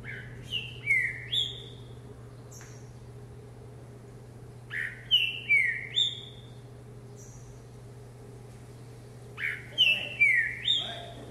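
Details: A caged green-winged saltator hops and sings with vigour, repeating a rich phrase of three or four sliding whistles three times, roughly every four to five seconds, with a constant low hum underneath.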